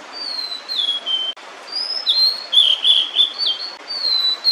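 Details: Female blue-and-white flycatcher, wild, singing while holding food in her bill near her nest with chicks. Clear high whistled phrases, some sliding downward, others warbled, in short bursts separated by brief pauses; steady faint background hiss.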